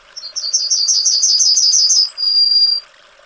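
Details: Yellowhammer (Emberiza citrinella) song of a quick series of about a dozen high, sharp repeated notes followed by one long, even, slightly lower held note; faint background hiss.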